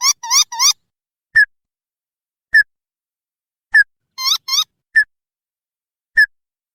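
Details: Lure call of the ruddy-breasted crake for drawing wild birds: short sharp notes repeated about once a second, mixed with brief bursts of rising, squeaky double notes, in a quiet setting.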